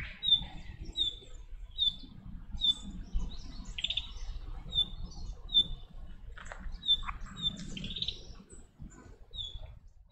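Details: Chestnut-cheeked starlings raising their chicks: thin, high chirps repeated roughly every three-quarters of a second, with a few brief scratchy notes, over a low steady rumble of background noise.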